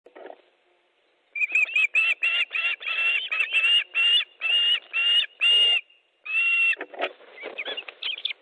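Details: Osprey at a nest in Estonia, 14 July 2014 at 12:50, during a fish delivery: a rapid series of loud, piercing whistled calls, roughly two per second, strident and slightly buzzy, after a brief low note at the start.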